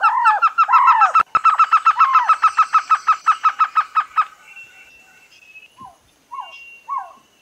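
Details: Trogon calls: a couple of drawn-out, arched notes lead into a long, even string of about twenty short notes at a brisk pace. Fainter scattered calls follow after the series stops.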